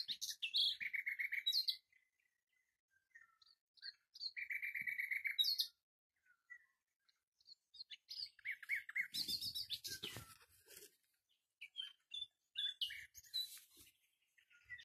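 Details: Common nightingale delivering varied song phrases: fast repeated buzzy notes, a sustained rattling trill, scattered chirps, then dense harsh bursts and rapid tinkling runs separated by short silences.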